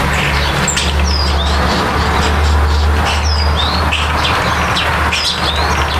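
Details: Starlings at a nest during nesting and nest building give thin, sliding whistles in groups of two or three notes every two seconds or so, over a low rumble of wind or traffic.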